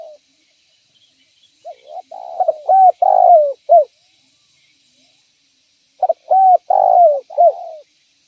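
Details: Spotted dove calling to lure other doves; two clean cooing phrases, each a short run of rising and falling hooted notes with one longer central coo, separated by about three seconds of silence.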